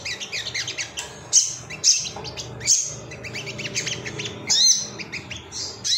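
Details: Ruby-cheeked sunbird male, called sogon, in an emotional state calling for rivals: high-pitched, hurried chirping phrases with sharp squeaky accents about every half second, over a faint low background hum.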